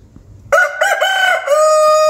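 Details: At dawn a local rooster crows once, loud and close. Broken, wavering opening syllables run into a sustained, bright, level final note held to the end, after a brief soft background hum.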